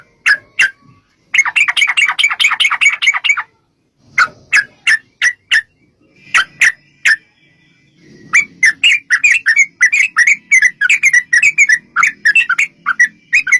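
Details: Long 'ropel panjang' song of a sooty-headed bulbul, used to provoke other bulbuls to sing. Scattered sharp chirps, a dense fast chattering run, more spaced notes, then a lively tumbling phrase sequence.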